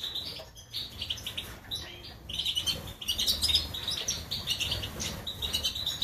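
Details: Song of a European goldfinch, Major type, recorded in Germany in 2020: quieter opening chirps building into dense, tinkling twittered phrases with buzzy trills, sustained to the end over a low background rumble.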